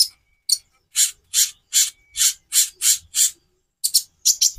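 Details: Konin song variation made of harsh, raspy, buzzy notes repeated about three times a second, with a couple of quick doubled notes at the end.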